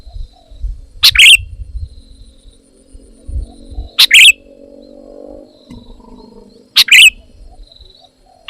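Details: A sooty-headed bulbul sings three loud, bubbly chirping phrases about three seconds apart. Faint low humming tones and rumble play in the background.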